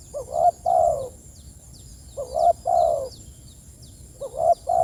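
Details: Spotted dove calling its companions, repeating a gentle two-note phrase roughly every two seconds, a short soft note followed by a longer resonant croo, faint thin bird chirps overhead.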